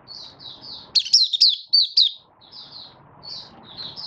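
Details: Malaysian Oriental white-eye, caged and in minor moult, 24 August 2023, opening song still taking form: soft high twitters, then a brief loud run of sweeping, wavering whistled notes over a steady low background hum.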